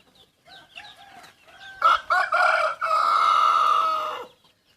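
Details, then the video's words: Young yellow decoy rooster, part wild junglefowl, opens with short clucks, then breaks into a crow of clipped stuttering notes followed by a long drawn-out level tail of over a second, ending abruptly in quiet. "Ntsuag lau qaib daj txuam qaib qusไก่ต่อหนุ่มสายเหลืองลูกผสมป่า"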